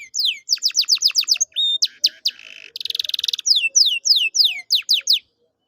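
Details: Canary singing, used to prompt a silent canary to sing actively: quick rising sweeps, a short whistle, a rapid buzzy roll, then a run of descending sweeps.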